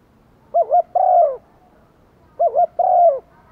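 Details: Decoy spotted dove cooing to lure wild doves, in the urging and calling coo styles: two low phrases, each a short wavering double note followed by a longer, steady, falling coo, about two seconds apart.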